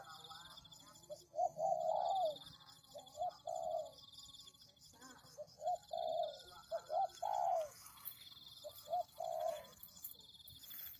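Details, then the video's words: Cooing tekukur, the spotted dove, played as a bird-attracting lure. Repeated phrases of two or three clipped notes each end in a longer downward-sliding coo, about five phrases in total. A high steady hum continues behind them. "Pikat Tekukur"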